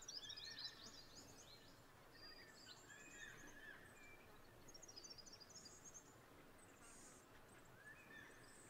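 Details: Yellow-rumped thornbills at Old Mill Dam, Dryandra Woodland, south-west Western Australia, on 30 December 2022 give high, tinkling chips and short twittering phrases in quick succession over a steady hiss.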